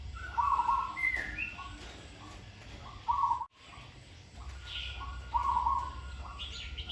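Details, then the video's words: Training session of a zebra dove with a fine, well-paced song: three or four short, vibrating coo phrases, separated by gaps of about two seconds, amid scattered higher chirps from other birds and a brief dropout. "นกเขาชวาฝึกต่อ เสียงเพราะๆ เดินกลอนดีๆ"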